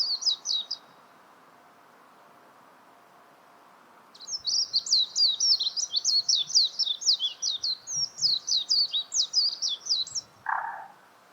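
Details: Warbling white-eye delivering a brief high twitter, then after a pause a long fast run of jumbled, sweet warbling notes lasting about six seconds, ending with a lower short sound.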